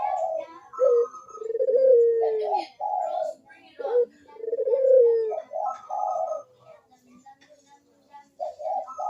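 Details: Burung puter, Barbary dove, cooing repeatedly to coax reluctant doves into calling: rolling throaty coo phrases, each ending in a long falling note, repeated about every three seconds, then a brief lull and fresh coos.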